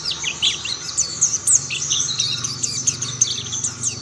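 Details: Brief stretch of mountain white-eyes singing as other birds join in; high, quick twitters and short whistled slurs overlapping, over a steady low hum.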